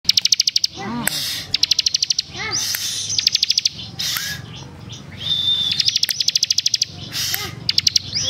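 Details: Ciblek, a small songbird, singing energetically: rapid trains of sharp, evenly spaced high ticks alternate with thin sustained whistles and brief downslurred notes, over a steady low background hum.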